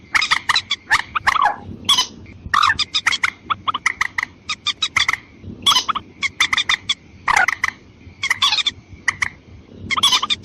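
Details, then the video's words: Watercock calls played as a lure for females and males, with long series of rapid, clipped knocking notes and occasional louder harsh bursts, steady hum in the background. "Pikatan burung mandar ayam ayaman betina dan jantan auto nyamperin"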